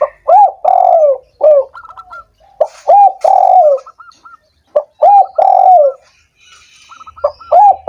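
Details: Spotted dove, played to stimulate doves that are lazy or slow to sing: three full low hoarse cooing phrases plus a cut one, each a short note, a rising coo and a long drawn falling coo, with thin high chirps between.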